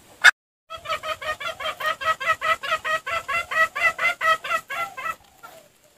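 Red junglefowl giving a fast, even run of about twenty nasal clucks, roughly four or five a second, preceded by a single sharp click.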